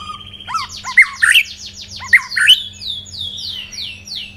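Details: Singing white-rumped shama that has been through one moult: rich, varied outburst of sharp whistled notes and quick slurred trills, followed by a rapid run of repeated descending whistles, with a constant low electrical hum beneath.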